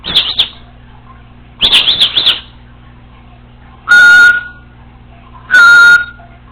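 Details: Alone at home, a female Congo African Grey parrot trills twice in rapid high chirp bursts, then gives two loud, harsh, steady whistled tones about a second and a half apart.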